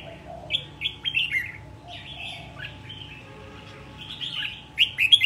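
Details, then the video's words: Wild-caught red-whiskered bulbul after a year in a cage, described as contest-ready, sings clear bursts of whistled, warbling notes in quick groups separated by short pauses, against a quiet background. "chào mào bổi sau một năm có thể thi đấu được"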